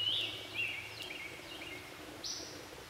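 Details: Red-headed woodpeckers, a male and female feeding young inside a nest cavity in Jefferson County, West Virginia, June 3, 2013: a few short, high chirping notes near the start, a brief harsh burst after two seconds, and faint background hiss.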